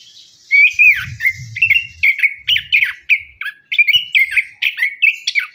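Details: Orange-headed thrush lure song, meant to stir birds that sing little after moulting: a continuous run of rich, varied whistled and chattering phrases, each short note sliding or dipping, delivered rapidly without pause.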